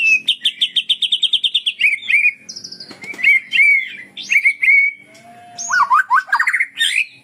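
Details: Sunda bulbul, 'tembak sambung' style from Cililin: rapid evenly spaced chirps, about twelve, lead into a string of short whistled slurs and a long buzzy note, ending in steep rising whistles, over a faint steady low tone.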